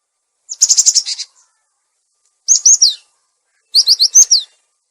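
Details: Cinereous tit lure recording, also a master for tits that stopped singing: a buzzy pulsed chatter followed by two phrases of four or five quick, high, downslurred whistled notes.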